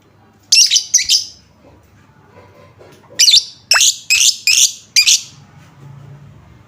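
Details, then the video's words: Lovebird sound used as a lure to get other lovebirds singing. Two quick harsh chirps, a pause, then a rapid run of five grating, buzzy chirps, followed by faint low hum. "Apapun jenis Lovebird mu, pasti langsung nyaut seketika dengar suara pancingan ini"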